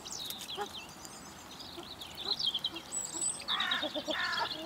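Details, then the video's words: Wild common pheasant in a garden by a bird feeder in Recke, Germany, on 24 March 2021, during mating season courtship: two harsh, raspy, harmonic bursts close together near the end, after high thin chirps of small birds. "Courting & Mating of wild Pheasants"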